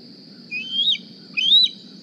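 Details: Juvenile bald eagle back at the Decorah nest one morning, begging for a meal; two drawn-out, shrill rising whistles, each arching up then briefly falling, separated by a short pause, over a faint steady hum.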